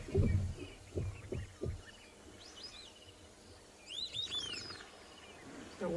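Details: White-faced Whistling Ducks at Ngala Private Game Reserve, South Africa, on the afternoon of 11 April 2020 give clusters of thin, high, arching whistles; a man's low voice comes first, and an Egyptian Goose sounds hoarsely in the background at the end.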